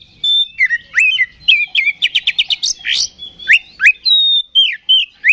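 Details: Kacer, the Oriental magpie-robin, in energetic fighting song of the ngeplong type meant to provoke other males. It gives sharp upslurred whistles, a quick rattling series of high notes and long sustained whistled tones.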